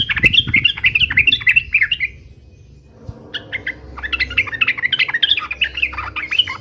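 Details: Lively yellow-vented bulbul in fighting song, 'uplik uplik' style: rapid tumbling chattery notes for two seconds, a short lull, then another long bubbly, warbling sequence.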